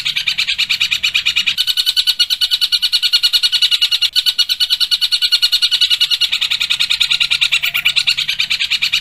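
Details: Long-tailed shrike singing kingfisher-imitation 'tembakan tengkek buto' phrases, used as tutor song for young shrikes: dense, sharp, rapid high chattering notes repeated about three per second, nearly unbroken, with a faint low hum early on.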